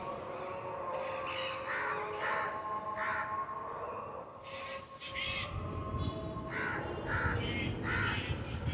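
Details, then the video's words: Parrots up in the trees utter clusters of harsh, grating squawks in short bursts, pausing in between, while a low rumbling drone, like passing traffic or a train, swells underneath toward the end. "Parrots in the trees"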